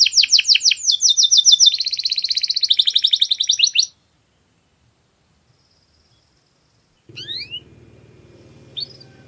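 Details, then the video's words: Canary masteran song, billed as very clear: nearly four seconds of quick trilled notes and a bright rolling phrase, then quiet with a few faint chirps and low background hum at the end. "MASTERAN KENARI SUARA PALING JERNI"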